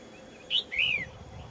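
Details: Red-whiskered bulbul in a large wild flock gives a brief 'double burst': a short bright whistled note, then a longer, arched, slurred whistle. Faint background hiss.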